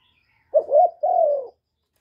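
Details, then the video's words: Spotted dove, a kept decoy bird, cooing in the calling, urging and accompanying styles used to stimulate other caged doves; two low hoarse coo notes, the first broken and wavering, the second longer and falling slightly, with no background sound. "Cu gáy hạp bổi {GÁY GỌI+THÚC+KÈM+GÙ khống} kích bổi hiệu quả. Cu đất gáy, tiếng cu cườm."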